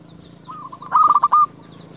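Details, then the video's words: Zebra dove, a local lure bird singing to call rivals, giving a short loud phrase of rapid pulsed coos over a low steady hum. "Perkutut lokal gacor JUARA Pikat terbaik paling jago memanggil lawan"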